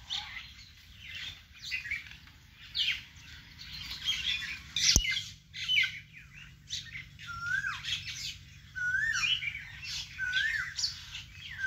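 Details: Garden birds in a vegetable plot: scattered high chirps and squeaky twitters, a sharp click near five seconds, then several short downslurred whistled notes repeated in the later half.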